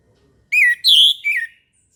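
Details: Orange-headed thrush with a single morning phrase of three rich whistles, the middle one highest and loudest, the last slurring downward.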